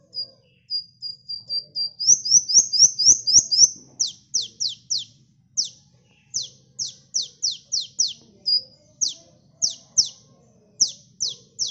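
A sunbird sings very high and thin: a quick run of ticking notes speeds into a trill, then sharp downslurred chips repeat about four a second.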